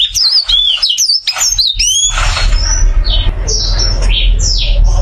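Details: Caged golden-green oriental white-eye with joined brows opens with a fast cascade of high looping whistles for two seconds, after which a broad noisy rumble dominates with only faint high notes.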